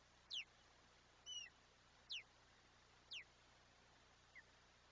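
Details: Wild osprey at its Chesapeake Bay nest on a July 2021 morning, a big fish delivered to feed the chick, seen on a live camera; a run of sharp, high, downward-slurred whistled chirps about once a second, then a softer note, over low hiss.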